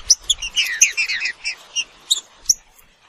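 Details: Green-winged saltator (Saltator similis) song: a burst of rapid bright chirped and slurred notes at mid-high pitch, packed in the first second, then a few spaced sharp high notes.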